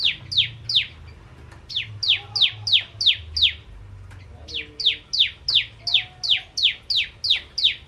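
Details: Bar-winged prinia in lively song, a steady stream of bright, high notes sweeping downward, about three per second with one short pause, plus a faint low rumble and brief soft whistles behind.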